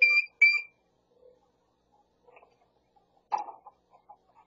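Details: A grey parrot, a talking pet kept near LA, California, gives two loud, clear beeping whistles, then after a pause a short harsh burst like a mimicked bark, followed by soft chatter.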